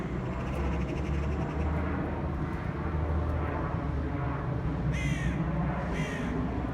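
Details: Crows mobbing a pigeon give two loud, rasping caws about a second apart toward the end, after a long stretch of low, droning background rumble.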